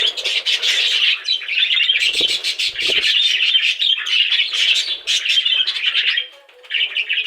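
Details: Budgies chirp and chatter nonstop, rapid scratchy warbles with a few clicking flutters around two to three seconds and a short lull near six and a half seconds.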